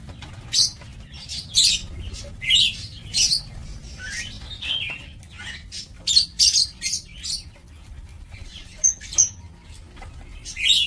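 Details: Breeding-aviary lovebirds recorded 2 October 2024 give harsh squawks and piercing chirps in separate bursts about every second, some dropping in pitch, over a quiet low hum.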